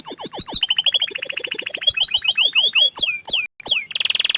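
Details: An orange frost canary delivers descending swept notes and a rapid trill, then slower downward-sliding chirps, ending in a dense high buzz.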